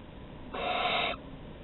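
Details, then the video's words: Barn owl at the nest entrance in Théding, France, on 15 August 2020 during a prey delivery, recorded by webcam; a single rough, breathy hiss lasting just over half a second. "Livraisons à l'entrée - 15/08/2020 - Les Chouettes Effraies de Théding"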